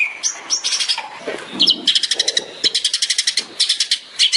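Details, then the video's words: Tembakan-style master song of a long-tailed shrike for training songbirds. Mixed chatter opens, then fast, even runs of bright, high repeated notes, with faint low sounds underneath early on. "CENDET SPESIALIS TEMBAKAN"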